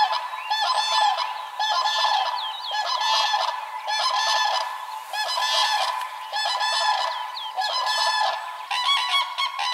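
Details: Common Cranes in a continuous bugling chorus of nasal, rolling honks with strong overtones. Notes overlap and swell in roughly one-second phrases across about ten seconds.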